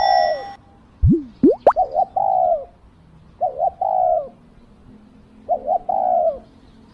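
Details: Spotted dove kept as a decoy to lure wild doves, giving low cooing phrases, each a short note or two followed by a longer drawn-out coo, repeated three times; sharp rising whistle-like sweeps and a steady tone come before.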